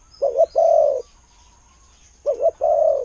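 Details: Close spotted dove, a decoy bird with a good voice, gives two cooing phrases in quick succession. Each has a wavering double note, then a steady, mellow, drawn-out coo.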